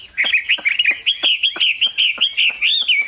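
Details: Loud Chinese hwamei song, a fast string of clear, rising and falling whistled notes delivered in quick bursts, each note sharp at its start, with no other sounds heard.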